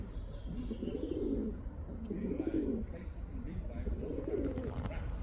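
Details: A male pigeon calling a female gives low, throaty rolling coos, three phrases about every second and a half, over a soft background rumble.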